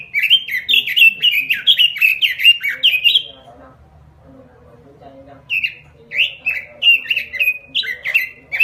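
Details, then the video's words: Robin lure song in full lively 'gacor' style, used as a master recording for training birds: two bursts of rapid warbled, down-slurred whistled notes, about eight per burst, separated by a quiet pause of roughly two seconds. "Suara Pikat Burung Robin Full Gacor . Masteran Burung Robin"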